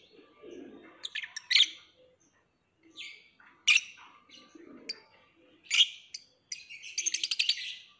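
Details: Lovebird producing sharp high clicks and squeaky chirps in scattered bursts, ending in a fast, rattling series of ticking notes.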